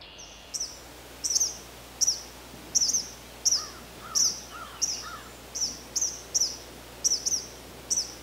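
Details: Eastern kingbird in Canada gives sharp, high, buzzy notes, roughly one or two a second, with faint slurred notes of another bird and a low steady hum behind.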